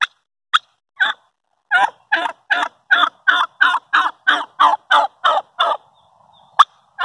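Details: Morning talk from a turkey hen: a steady run of about a dozen raspy, hoarse yelps, roughly three per second, opened and closed by a few sharp clicking clucks.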